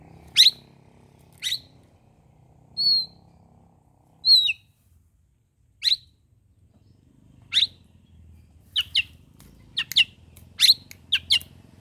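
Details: Morning oriental magpie-robin song for provoking rivals: sharp, high piercing notes spaced a second or more apart, interspersed with softer sweet whistles, ending in a faster cluster of clipped notes.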